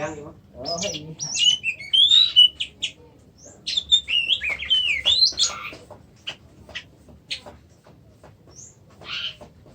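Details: A kacer, the Oriental magpie-robin of Indonesia, sings fast, twisting whistled phrases mixed with sharp chirps. The phrases are densest early on and thin out toward the end.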